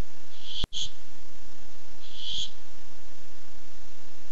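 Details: A Barn owl, dated 8-7-15 and visiting while looking for food, gives two rasping hissed screeches about one and a half seconds apart; a sharp click sounds just before the first one.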